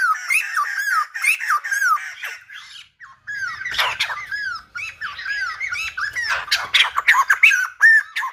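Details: A silver-headed babbler, said to sing like a lumba dancer, delivers bouncing arched whistles in quick series, pauses briefly near three seconds, then resumes with denser, harsher phrases.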